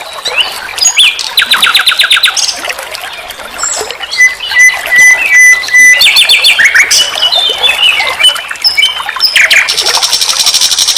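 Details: Nightingale song used as a master recording to teach captive songbirds: fast rattling trills, sweeping chirps, steady pure whistles repeated in a series, and a closing stretch of dense high buzzing, loud and continuous.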